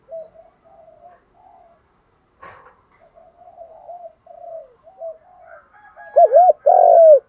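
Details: Spotted dove in the 'thúc' coo and calling style, bronze voice, used for training captive birds: soft low coos with a brief click, building to a loud wavering double note and a long held coo.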